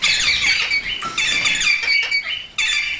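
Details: Parrot calls recorded naturally; loud harsh squawks in three bursts separated by short gaps, rich in harmonics and strongly screechy in tone.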